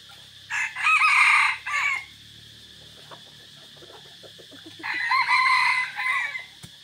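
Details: Two drawn-out, strained crows from a decoy red junglefowl in forest, 3 April 2024, each about one and a half seconds long with a wavering, stuttered ending, separated by a quiet gap with soft ticking sounds.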